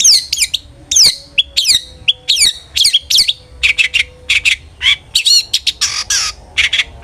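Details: Long-tailed shrike song played to make other shrikes sing: quick high downslurred chirps, shifting into harsh raspy bursts and twittering notes.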